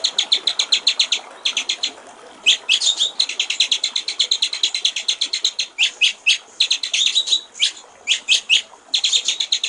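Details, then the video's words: Clear 'gericik air' style song of a white-rumped shama for training songbirds: nearly continuous fast trills of high, evenly spaced notes, with a few short pauses and louder bursts. "masteran murai batu/ suara jernih gericik air"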